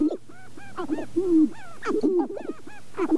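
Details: Sharp-tailed grouse in northern Wisconsin's Namekagon Barrens in April, recorded using a Canon 5D Mark II and two Sennheiser ME67 microphones: drawn-out cooing notes mixed with short arched whoops and clucks, several voices overlapping.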